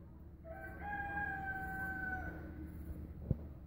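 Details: A rooster gives one long, drawn-out crow lasting nearly two seconds, rising slightly and then holding steady before trailing off, over low wind rumble and a single sharp knock.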